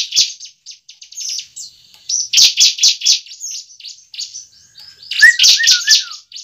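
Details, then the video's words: Bar-winged prinia fighting song used as a lure for a newly kept bird: irregular high ticking notes building to loud sharp chips, with a short series of lower downslurred whistles near the end. "pancingan ciblek ampuh membuat ciblek bakalan langsung gacor"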